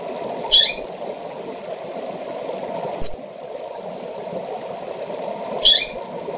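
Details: Female double-collared seedeater calling to excite males: two short, high, bright chip notes about five seconds apart, with a faint click between them, over a steady low hum.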